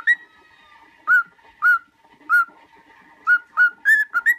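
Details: Pet cockatiel singing for cockatiel song training: clear separate whistled notes, each briefly rising then falling, spaced about half a second apart and quickening into a short run at the end.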